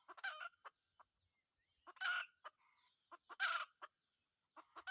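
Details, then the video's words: Red junglefowl during decoy trapping of wild birds, giving short rasping crow bursts about a second apart, each introduced by crisp clicking notes, with a faint wavering tone in the gaps. "cuab tau lau qaib qus lawm nawb(ต่อไก่ป่าหม่านๆ)"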